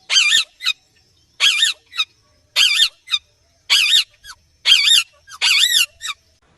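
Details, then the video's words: Green Indian ringneck parakeet calling naturally, repeating loud, raspy screeches with a warbling pitch about once a second, most of them trailed by a short clipped squeak, with nothing else audible. "Indian Ringneck Parrot Chirping Sounds and Natural Calls"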